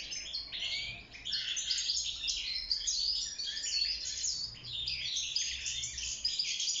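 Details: European goldfinch, a wild bird held in a cage, singing to court and build a nest; unbroken rapid twitter of tinkling, metallic notes and buzzy trills with a faint low hum behind.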